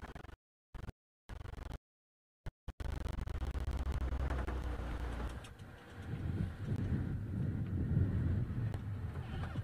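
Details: Low engine rumble in an outdoor setting, with brief dropouts to silence at the start, then continuous vehicle noise that swells toward the end.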